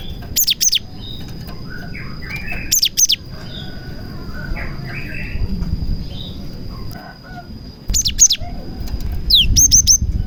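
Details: Prenjak-filled singing from a cinereous tit, meant to lure other cinereous tits. Sparse bursts of sharp, very high chirps come at intervals, ending in a falling sweep and a quick run of three notes, with softer mid-pitched sounds and rustling in between.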